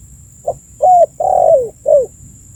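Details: Spotted dove calling repeatedly as a lure for birds: a four-part cooing phrase, a brief soft note, a sustained mellow coo, a long coo drooping at its close, and a final short downslurred coo, with low faint hum.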